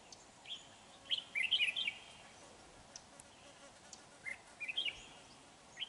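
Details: Red-whiskered bulbul in a trapping session with a lure bird, 31 January 2019: a few quick, bright chirping phrases in two bursts, fairly soft, with light background noise.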